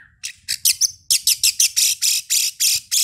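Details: Oriental magpie-robin used as a pre-contest lure to get birds singing: a brief whistle, then a long, rapid series of loud, harsh, scratchy rasps, roughly three or four per second.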